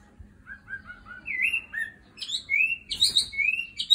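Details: Nightingale song: a varied run of clear whistled notes, first a string of short falling slurs, then louder rising and looping phrases climbing higher near the end, with a faint steady low hum beneath.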